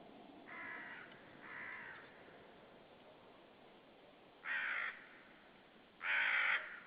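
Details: Common raven calling unseen near a white-tailed sea eagle nest at Saunja, Estonia, 18 March 2013, mid-afternoon; four harsh, hoarse croaking calls, two softer ones close together, then a pause, then two louder, rougher calls.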